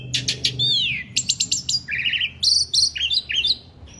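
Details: Asian pied starling (jalak suren) in lively masteran song: a rapid run of buzzy high notes, then a falling slurred whistle, a quick series of sharp ticks and a burst of varied chattering phrases, with a low hum beneath.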